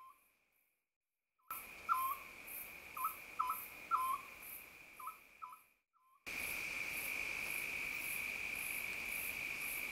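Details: Oriental scops owl in early summer near a mountain-village house, giving about eight short, hollow, clipped notes in uneven pairs. A steady high insect drone runs throughout and grows much louder after a brief silence.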